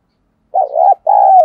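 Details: Spotted dove 'thúc gù' and 'gáy gọi' cooing, used as a lure for wild doves. One phrase of a wavering note and a drawn-out, downward-sliding coo, cut off at the end, with a faint click.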